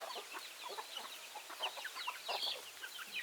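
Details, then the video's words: Backyard chickens clucking: dense overlapping short clucks and squawks from several birds, steady chatter throughout. "Chicken Sounds, Backyard Chicken"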